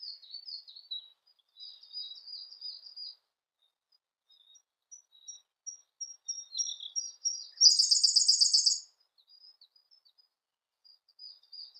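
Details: Siberian blue robin song: scattered soft, high, thin notes, then a loud rapid trill of about a second, followed by more faint twitters.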